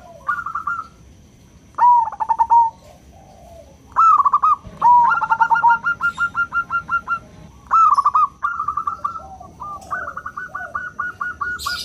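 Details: Local zebra dove singing its clear 'crystal' song as a lure for other doves: separate phrases of rolling cooing notes, some starting with a sharp slurred note, with quiet gaps between them.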